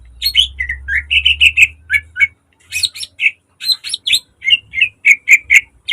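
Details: Caged green leafbird singing a varied song used to train and lure other birds: quick runs of sharp whistled and chirping notes with brief pauses, and a faint low hum under the first half.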